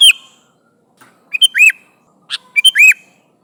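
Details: Sooty-headed bulbul calling its companions: two phrases, each a couple of short sharp notes followed by an arched, rising-then-falling whistle, with silence between.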